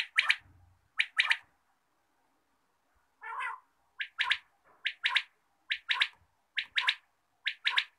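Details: Morning quail calls: crisp, abrupt doubled notes repeated roughly every second in a steady series, with one softer, lower buzzy phrase in the middle, and no other sounds.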